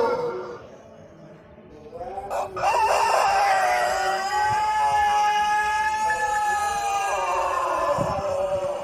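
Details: Male Pelung chicken from Cianjur, West Java, a breed selected for its long, melodic crow, giving a lure crow for other roosters: a rising opening, then a sustained, level, resonant note lasting several seconds before dropping at the end.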